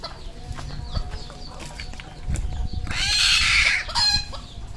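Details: On a Cambodian farm, a red junglefowl gives one loud, strained crow near the end, after a stretch of scattered clucks and low farmyard noise.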